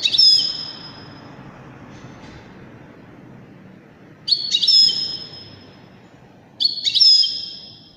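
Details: Widani goldfinch repeating crisp high chirp phrases roughly every two to three seconds, each followed by a drawn-out ringing tone, against steady broadband hiss.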